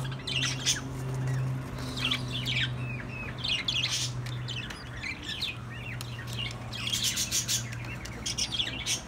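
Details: Several ten-day-old chicks peeping together in overlapping bursts of high, slurred cheeps that rise and fall in intensity, with a steady low droning hum running beneath most of the recording.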